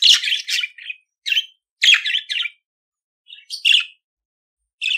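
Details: Budgerigar warbling for teaching a pet budgie to sing: harsh, squawky chirps and buzzy chatter in quick clusters, a pause in the middle, then more chirps and a rising squeak.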